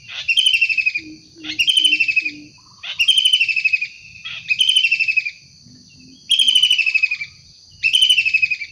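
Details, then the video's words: Kingfisher recorded in the wild, calling vigorously: buzzy, pulsed, slightly descending chatters repeated steadily. Low hooting notes from another bird and a steady high-pitched whine are audible between calls. "Tengkek udang gacor asli alam liar"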